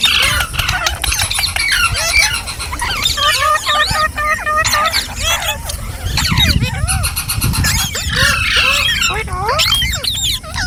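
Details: Green parrots chatter continuously, with a crowded mix of squawks, trills and curving calls and a low rumble underneath, possibly traffic.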